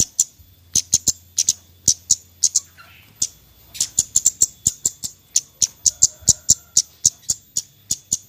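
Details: Javan white-eye in the 'nyecret' chattering style, used as a lure to prompt reluctant birds to sing: sharp, very high ticks repeated in a fast irregular series, about three per second, with faint background hum.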